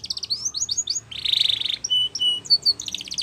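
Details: Spanish Timbrado canary song, used for training, sung in fast trills of repeated rising notes, then a dense buzzy rattle, a few flat whistled notes, and more quick trills at the end.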